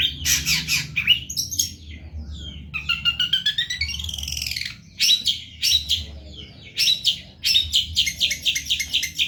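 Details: Indonesian long-tailed shrike (cendet), singing intensely for a tutor recording. Scratchy high chatter opens, then a long wavering whistled phrase that rises and falls, followed by clipped, strongly accented squeaky notes in quick succession.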